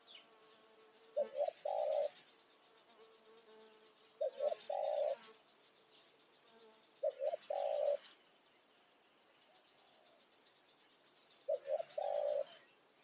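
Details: Spotted dove kept as a decoy, calling in the evening to lure wild doves. Low cooing phrases come every three to four seconds: two quick notes and then a longer rolling coo. A steady high insect hum continues underneath.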